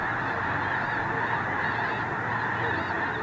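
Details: Geese packed into a small unfrozen part of Squaw Creek National Wildlife Refuge, Mound City, Missouri, calling on a dark overcast morning before leaving for fields; a dense, even chorus of honks with a few higher yelps above.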